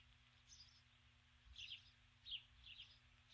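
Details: A female osprey calls at dusk from her nest on 21 July 2015, summoning a mate who does not come; a few quick, squeaky high chirps in small clusters.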